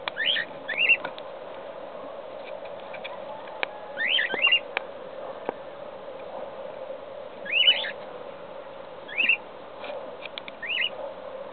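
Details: Several nestling cockatiels begging inside the nest, giving brief raspy squeaky calls in clusters of two or three, repeated irregularly every couple of seconds, with sharp clicks and a constant low hum behind.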